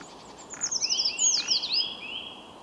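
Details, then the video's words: Eurasian treecreeper (Certhia familiaris) song: a thin, very high series of quick descending notes, accelerating and ending in a short flourish, over faint background hiss. "Пищуха обыкновенная Certhia familiaris"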